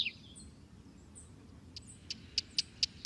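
Small birds chirp in high, thin notes; a quick falling twitter opens, then a run of sharp, evenly spaced chips over faint background hiss.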